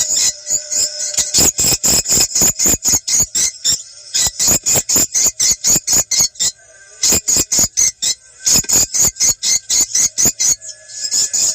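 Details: Swiftlet calls for attracting birds to a prospective site, South Kalimantan, best played as the sky grows dark. Bright, high chirps in fast runs of about four per second, with short breaks near four and seven seconds.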